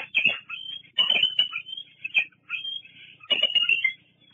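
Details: Bald eagle squeeing at the Fraser Point nest on 08-08-22. Three bursts of high, strained squeals, each a ragged cluster of whining notes, with scuffling sounds mixed in.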